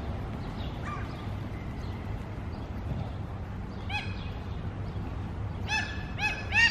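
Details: Common (mew) gulls calling at a feeding spot: high, nasal, mewing cries, one near four seconds long, then a quick run of several toward the end, over a steady low rumble.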